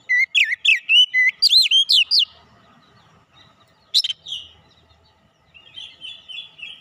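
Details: Lure song of an Oriental magpie-robin to make birds sing: a quick string of looping whistled notes for two seconds, quiet, one sharp note, then a soft warbling passage.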